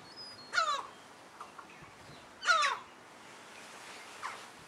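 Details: European herring gull, one of a pair with a chick, at Alkmaar, Netherlands, 17 July 2011, gives two loud, nasal, downward-slurred yelps about two seconds apart, then a fainter third call; quiet background.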